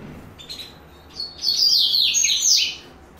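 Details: Yellow-bellied seedeater, known locally as coleiro baiano, giving a short burst of high, rapid twittering song notes, rising in loudness midway and fading out after about a second and a half.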